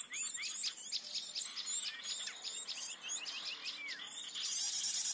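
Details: Flycatcher call played as a trapping lure in forest, blue-headed bird: rapid high chirps and short slurred whistles in continuous chatter, a lower curved whistle near the end.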